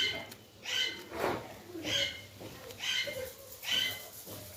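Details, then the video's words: Hungry green parakeets indoors, apparently in Pakistan, give harsh, raspy screeches with bright overtones, about one every second, in a small indoor space. "PARAKEETS ARE TOO HUNGRY"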